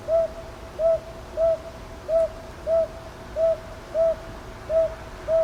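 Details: Nine clear hoots of a northern boobook delivered in regular hoo-hoo pairs, recorded at Ichijoji in Sakyo Ward, Kyoto, on 22 May 2023 with a TASCAM DR-100MKIII, quiet surroundings.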